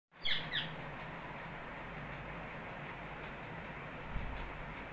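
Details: A pet rose-ringed parakeet playing on a bed indoors gives two quick, harsh, high screeches at the start, then falls silent over a steady indoor hiss and low hum.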